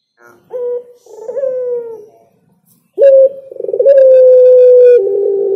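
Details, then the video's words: Spotted dove song: a short coo and a falling coo, a pause, then a stuttered low note running into a long, level hollow coo and a final lower note. "Suara Burung Derkuku Yang Enak Dan Nyaman didengar Burung Tekukur Bernyanyi"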